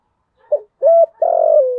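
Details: Spotted dove decoy coo in the thổ thúc style for luring wild doves: a quick soft note, a steady hollow coo, then a long burred coo sliding lower, with nothing else audible.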